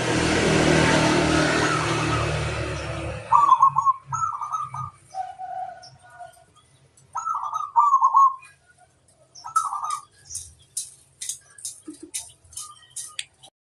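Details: Local-type zebra dove calling a rival: after a rushing noise ends, a series of rolling, stuttered coo phrases come in bursts, later overlaid by rapid high chirps from other small birds.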